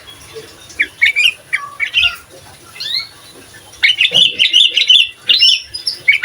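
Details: Sooty-headed bulbul recording used as master song to provoke other bulbuls: scattered short whistled slurs at first, then a continuous run of lively bubbling warbles toward the end.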